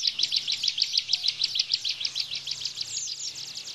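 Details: Bar-winged prinia gives a fast burst of sharp, high chipping notes, about six per second, shifting to a buzzier phrase near the end; faint low hum beneath.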